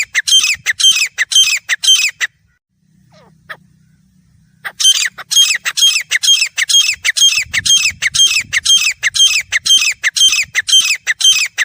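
Grey francolin giving loud, harsh, repeated calls about twice a second, broken by a two-second pause with a low hum, then resuming steadily.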